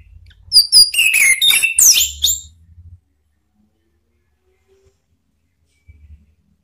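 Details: Male orange-headed thrush singing in ngeplong style as a lure for birds that stopped singing: a dense, fast jumble of high whistles and slurred notes for about two seconds, with low thumping, then quiet.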